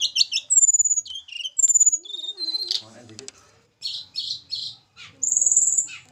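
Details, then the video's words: Captive Javan little pied flycatchers housed together for pairing; high chattering notes and clear whistles, a pause, then buzzy bursts and a final long thin high whistle. "penjodohan tledekan gunung jawa. tempel satu mingu lagsung jodoh. si kecil cabe rawit bersuara merdu"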